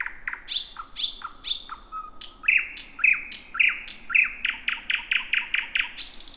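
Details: Thrush nightingale singing at night in thick bushes: a varied phrase of sharp descending clicks, a brief flat whistle, then rapid repeated chock notes building into a fast chattering series.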